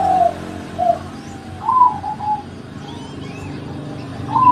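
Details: Zebra dove giving short, soft whistled coos at a mid pitch, a few notes spread over several seconds with gaps between them, over a steady low hum.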